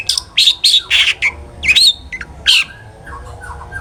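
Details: Long-tailed shrike in the ngeplong style, used to lure other shrikes into singing: loud harsh squawking notes with a few whistled slurs, then softer chirps fading away.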